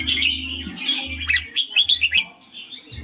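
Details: Short, chattering run of chirped and slurred notes from a red-whiskered bulbul singing 'ring', ending with a string of quick, sharp chirps. A low hum pulses beneath.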